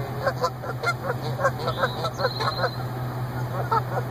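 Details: Reunited goose pair at their annual parking-lot nesting site, the female returned after hospital care for suspected lead poisoning; rapid, excited honks tumble out in a dense uneven series of roughly two per second, with a low hum underneath.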